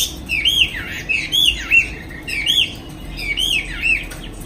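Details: Chinese hwamei in captivity, afternoon, wing-flapping, singing clear, strong looping whistles that swoop up and down, delivered in three close phrase groups with short pauses between.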